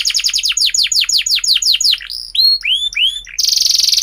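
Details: Singing canary, a lure for young canaries learning sounds: a fast series of repeated descending whistled notes, then a few slower upswept and swooping notes, ending in a loud dense trill.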